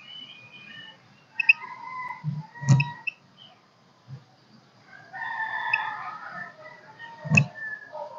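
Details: Golden-crested myna singing in kích bổi style, with short high whistles, two loud snapping clicks, and a dense burst of warbled notes near the middle, over low buzzing background.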